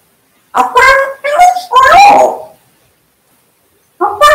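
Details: Pet African grey parrot talking indoors in a small room, mimicking human speech: a string of clear, tonal, voice-like syllables with a bright gliding whistle-like note, then silence and a brief final word.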